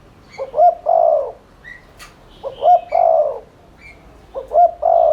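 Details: Rapid 'thúc liên thanh' cooing of a spotted dove, used as a lure to stimulate cooing. Three soft, low phrases repeat about every two seconds, quick paired notes then a long hum-like coo, with a sharp click and faint high chirps between.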